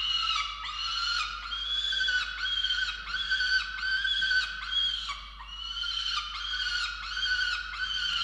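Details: Harsh, screaming calls from falcons at a nest-box camera in Orange, Australia, while chicks are fed, 13 November 2022; rasping wails with many harmonics, given in a steady series of roughly one per second.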